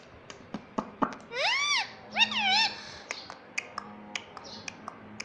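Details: Rose-ringed parakeet kept as a pet, talking indoors: two rising-then-falling harmonic word-like calls in quick succession, surrounded by sharp clicks and a low hum.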